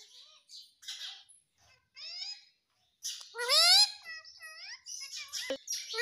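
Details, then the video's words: Pet parrot talking, saying "mummy": breathy hissing sounds followed by harmonic, voice-like syllables that rise and fall, the loudest phrase midway, with scratchy chatter between. "Mummy Mummy bolne wala tota"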